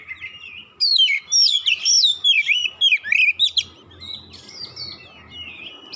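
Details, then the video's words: Oriental magpie-robin singing aggressively after provocation, a dense rush of loud, slurred whistles and sharp chirps for about three seconds, then quieter thin whistles with background hiss. "sekali pancing Kacer lawan langsung gertak naik emosi bongkar isian"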